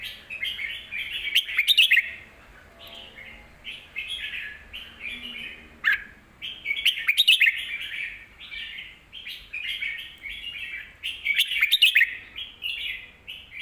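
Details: Red-whiskered bulbul song used for teaching young birds: bright warbled phrases, rising and falling, in bursts every few seconds, with louder sharp chirpy notes near two, seven and twelve seconds and quiet gaps between.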